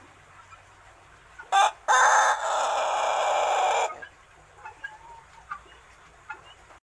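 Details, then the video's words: Pelung rooster around six months old, a youngster still learning, crows once: a sharp short note, a break, then a long raspy sustained call of two seconds, followed by scattered soft clucks and faint background calls. "bunyi kokok ayam pelung remaja umur 6 bulan"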